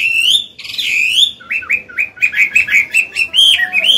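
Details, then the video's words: Adult Chinese hwamei in forest-voiced song for training caged birds: a long, bright whistled opening, then a quick series of looping, up-and-down notes repeated about four times a second. "Họa mi già giọng cực hay, luyện bổi, kích trống hót hay"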